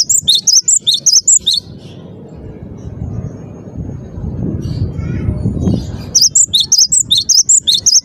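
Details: Gelatik batu (Cinereous tit) singing gacor: an opening run of rapid, high, alternating whistled notes, about four seconds of low background rumble, then the loud see-sawing phrases resume until the end.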